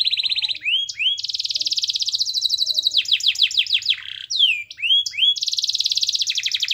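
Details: Canary master song played to get other canaries singing, mixing fast high rattling trills with sweeping rising and falling whistled slurs and short chirps, bright and continuous.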